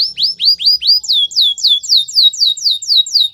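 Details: Canary training song: a steady series of bright, down-slurred whistled notes, about four per second, shifting midway to a slightly higher, sharper note type repeated in the same even rhythm.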